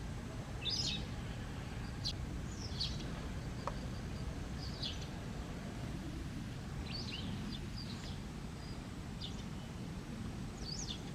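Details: White wagtails in autumn, amid an ongoing territorial dispute in which a male chases and threatens another wagtail, give sharp, high chirping calls in scattered bursts over a steady low rumble.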